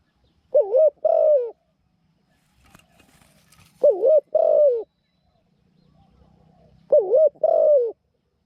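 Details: New caged decoy Spotted Dove, kept for trapping wild doves and said to coo well in a small voice, repeats a paired coo phrase three times, a quick dipping note then a longer falling one, about every three seconds.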